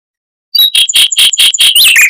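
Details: Mockingbird with fast, close-packed rolling song, used as a model for white-rumped shamas: after a brief pause, a run of high, clear notes repeated quickly, finishing in squeaky, sliding twitters.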